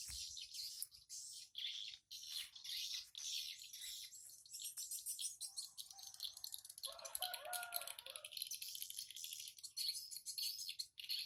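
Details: At 07:25 on 14 August 2018, swiftlets come and go from a simple nest house. Dense high twittering and clicking runs throughout, and a lower, grating harsh call rises around the middle.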